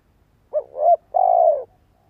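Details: Spotted dove lure bird calling so other doves answer, two-part phrase: a wavering double note, then one long, even, slightly falling coo.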